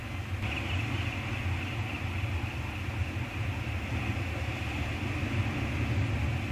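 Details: Continuous low rumble and hiss like distant machinery or wind, with no animal calls present.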